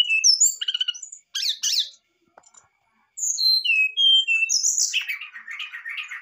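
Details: Brown-chested jungle flycatcher, a lively singer, in a varied fluting song used to stir a lazy bird into singing: high whistled slurred notes and rapid chirps, a short pause, then a run of clear descending whistles and buzzy trills.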